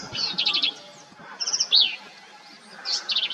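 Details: Black-capped vireo, a migratory vireo that nests in Texas hill country, singing short high phrases of rapid buzzy and chattering notes, separated by brief pauses, with a clear slurred note in between.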